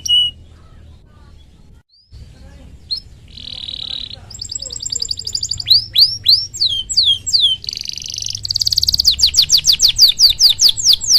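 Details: Canary song meant to stimulate other canaries, starting faint after a brief silence, then building into bright repeated whistled sweeps, buzzy bursts and a fast trilling run toward the end.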